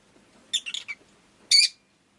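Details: Rosy-faced lovebird chirping: a quick cluster of three or four shrill, harsh chirps, then a brief pause and one louder, squawky chirp, over a quiet background.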